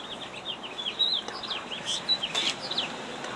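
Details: Female killdeer defending her eggs at a roadside in Jackson, New Jersey, in 2008, giving a rapid run of high, slurred, downward-sweeping notes over steady background hiss.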